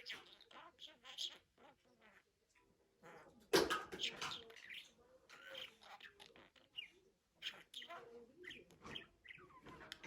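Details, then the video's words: Budgerigar chattering softly in short scratchy phrases, with an abrupt loud burst near three and a half seconds. After it come squeaky, slurred warbles and clicks. "MUHABBET KUŞU | DİNLET KONUŞSUN"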